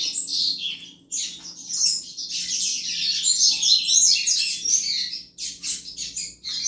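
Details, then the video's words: Male-stimulating chuva song from a double-collared seedeater: a long, clear run of rapid, high, warbling chirps with short gaps, loudest in the middle section. "Canto Chuva de Coleiro Top Para Esquentar Qualquer Coleiro!!!"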